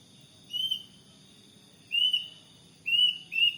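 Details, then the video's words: Plaintive cuckoo calling in front of a house in the morning: four clean, high, slightly rising whistled notes, the first three spaced over a second apart and the last two close together, over a soft low background hum. "Suara burung kedasih"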